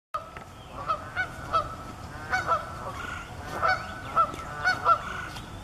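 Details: Canada geese with goslings at Estelle Manor: loud nasal honks in uneven bursts, about eight in five seconds, some doubled, over a soft low background rumble.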